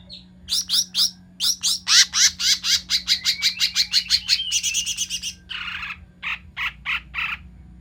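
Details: Cucak mini bulbul lure sound for trapping birds: a long fast series of sharp, high, evenly spaced chirps, about two per second, running into a dense stutter and then several rougher buzzy notes, over a steady low hum.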